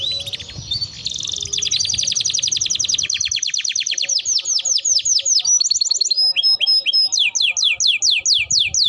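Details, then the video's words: Canary training song: a dense rolling trill gives way to rhythmic downward-swept whistled notes, then a high thin note and evenly spaced slurred phrases repeated several times a second. "burung kenari masteran gacor"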